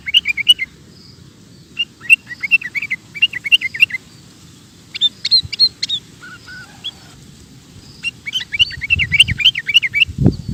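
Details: Sooty-headed bulbul singing prolifically in ropel style, pouring out repeated bubbly phrases of rising and falling whistled notes in rapid bursts, separated by short gaps, with a soft low background rumble.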